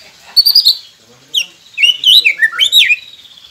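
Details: White-rumped shama song used as a training recording to get quiet captive shamas singing: bright whistled phrases, some sliding downward, with short rapid chirps and several high sharp notes in quick succession.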